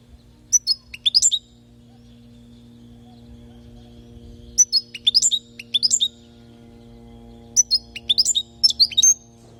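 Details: Palestinian European goldfinch song recorded for teaching chicks to sing: three bursts of rapid, tinkling high twitters and upward-slurred notes, each about a second long, spaced roughly three seconds apart, with a quiet low electrical hum beneath.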